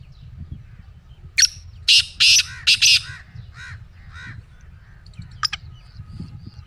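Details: Pet black francolin calling: one sharp note, then a tight run of four harsh, rasping bursts, followed by fainter scratchy notes and a brief sharp double click over a low background hum.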